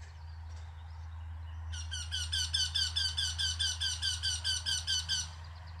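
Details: Singing Eurasian wryneck gives a long string of about seventeen rapid, nasal, evenly repeated notes lasting over three seconds, over a steady low mechanical hum and faint background noise.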